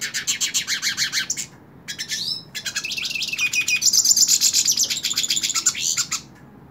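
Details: Hooded siskin held in a hand, singing fast rhythmic chirp series. A brief pause gives way to a long, bright, buzzy twittering phrase with thin whistled notes, all high-pitched and rapidly repeated.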